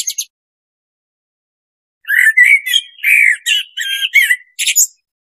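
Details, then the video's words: Blackbird singing: a brief high twittering tail, then after a pause a phrase of low, mellow fluted whistles with warbled notes, closing in a thin, squeaky high flourish; no other sounds. "SUARA BURUNG BLACKBIRD"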